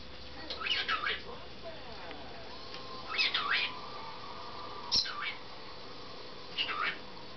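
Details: A male pet cockatiel repeats loud, sweeping wolf whistles, each a quick rising then falling whistle.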